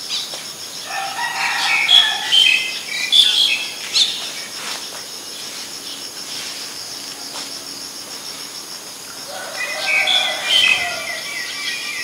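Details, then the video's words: Black-collared starling recorded in Ubon Ratchathani, Thailand, 10 February 2023: two bouts of loud, mixed harsh and whistled notes separated by about five quiet seconds, with a continuous insect trill behind. "นกกิ้งโครงคอดำ Black-collared Starling"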